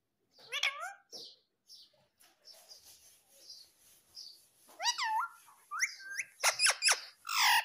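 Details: Talking parrot, said to speak "mummy" and "papa", mixes soft high chirps with several loud swooping harmonic calls, growing busier and louder toward the end.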